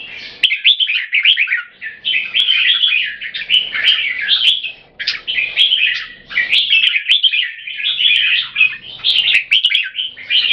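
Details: A singing duel between two caged red-whiskered bulbuls, each trying to out-sing and dominate its rival; bursts of lively, chattering warbles follow one another with only brief gaps, punctuated by faint clicks.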